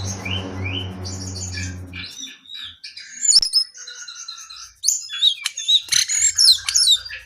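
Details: Brown-eared bulbul song of rising whistles, rolling chatters and loud sharp chirps, opening over a low droning hum that fades after two seconds.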